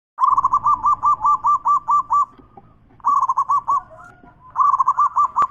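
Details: Zebra dove song used as a lure to restart doves that have stopped singing, in big-voiced, bekur and crystal styles: three bursts of rapid, rolling low coos, the first running about ten notes, with faint high ticks above.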